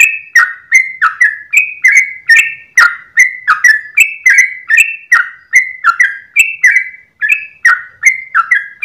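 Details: Dawn song of a sooty-headed bulbul, long 'ropel' delivery: a steady run of short liquid whistles, each starting with a crisp tick, alternating slightly higher and lower notes, continuous for nearly nine seconds.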